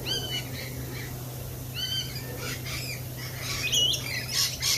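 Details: Lorikeets at a cafe: a flurry of shrill, squawking chatter with rising and falling whistled notes, harsh bursts overlapping from several birds, steady low hum beneath.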